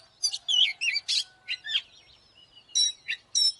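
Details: Oriental magpie-robin used as a lure to provoke fighting, giving separate short bursts of sharp whistles and chips. A thin sliding whistle follows, then a pause, then two more bright clipped notes.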